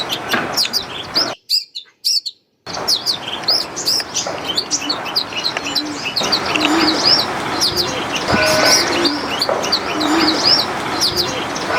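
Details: Common myna calls in a home yard in India: a busy jumble of chattering, whistled and squeaky notes, with several birds overlapping and a brief silent gap near the start.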